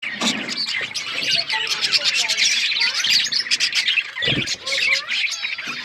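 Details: Several budgerigars chirping together in a dense, continuous chatter of high warbled notes and quick tweets, with a brief low thump near the end.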